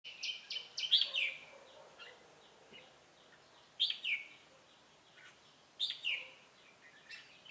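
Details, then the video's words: Red-whiskered bulbul used as a call bird for trapping, 'Ché cười' style, recorded 25 June 2018: short bright warbled phrases, rising and falling, in three bursts about two seconds apart, with quiet gaps between. "Bẫy chào mào Ché cười"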